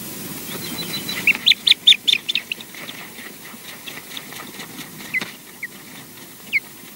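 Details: Ospreys at the Loch Garten nest, Scotland: male Junior comes to mate with female EJ, a rude awakening. A quick burst of about ten high, piping whistled chirps, then a few sharp yelps spaced a second or so apart, over faint hiss.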